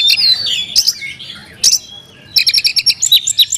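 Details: Lavish fill-in song of an Oriental magpie-robin: sweeping high whistles and a sharp chip, a short lull, then a rapid run of clipped, repeated high notes.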